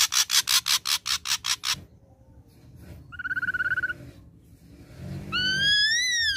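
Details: Ashy drongo song played as a lure to draw a response: a run of harsh rasping bursts, a quavering trilled whistle, then a long wavering whistled note rising and falling.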